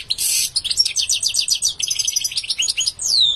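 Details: Continuous goldfinch singing opens with a harsh buzzy note, then rapid repeated chirps and twitters, ending on a clear downward-sliding whistle.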